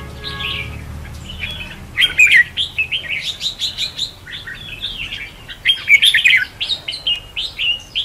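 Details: Red-whiskered bulbul contest song meant as a decoy for trapping and training birds: quiet start, then quick chattering whistles and warbles in pulsing bursts.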